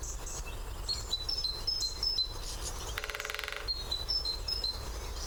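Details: Drumming great spotted woodpecker at its favourite post, taken with a parabolic microphone: a single fast, machine-gun-like roll near the middle, with repeated high, thin whistles from other birds before and after.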